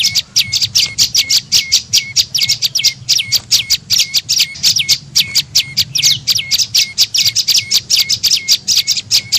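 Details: Lure call of the prenjak lumut, a tailorbird, meant to draw birds in: quick regular bursts of piercing high chirps, each with a downward-bending ending note, repeating rapidly without pause.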